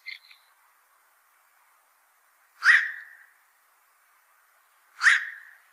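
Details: Black-crowned night heron, a fish eater and fishpond pest, gives two harsh, croaking quok calls about two and a half seconds apart, after a short clipped note at the start, with a steady faint hum behind.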